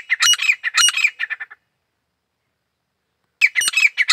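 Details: Grey francolin, known locally as Desi Teetar, giving a quick burst of harsh, ringing, repeated notes that fade out. After a short silence, a second loud harsh series starts.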